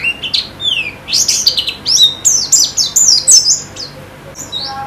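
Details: White-eye song from a kept bird: rapid chain of thin, high, descending and rising chirps, slightly harsh in places, fading near the end.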